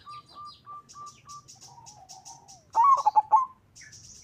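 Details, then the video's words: Local zebra dove used as a lure for other doves: a line of short even coos gives way to a loud rolling burst of cooing notes, while small birds chirp high in the background. "Perkutut lokal gacor suara mengundang lawan Ampuh dijadikan pancingan perkutut lain 100% ikut gacor"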